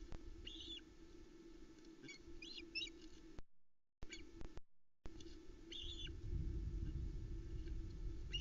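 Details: Osprey family at a Scottish Loch Arkaig nest, 7 July 2020, crowding the male arriving with fish: scattered high chirping calls in short groups, a low steady hum and rumbling noise later.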